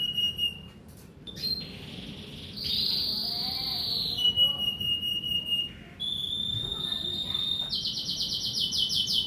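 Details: Kenari merlok canary singing at dawn, alternating long high whistles and short chattering notes, finishing with a fast pulsed trill, against a low constant hiss.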